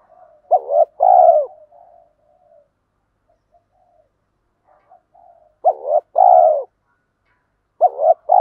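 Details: Spotted dove, male and female, used to stimulate captive training birds: phrases of two short rising notes then a long falling coo near 700, repeated about every five seconds, with faint softer murmurs between phrases.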